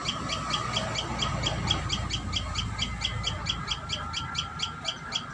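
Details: At its nest, a Common tailorbird keeps up a string of thin, sharp chirps about two per second, somewhat softened by a low rumbling background.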